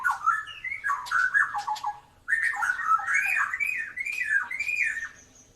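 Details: White-rumped shama, tail drooping, singing steadily to prompt birds that rarely sing. Mellow looping whistles tumble downward, break off briefly, then return as rolling rising and falling whistled phrases.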